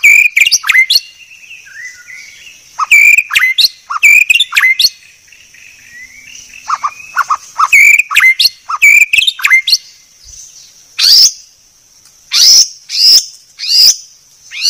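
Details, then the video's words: White-rumped shama training song: loud groups of sharp chirps and whistled notes separated by quiet gaps, with high piercing notes near the end over a faint steady background hiss. "Masteran Murai Batu Paling Jernih"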